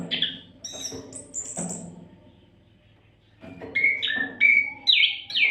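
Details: Oriental magpie-robin singing nonstop as a tutor for songbirds: high thin whistles and rasping notes, a brief near-silent pause, then loud rising and falling whistled phrases, over a low steady hum.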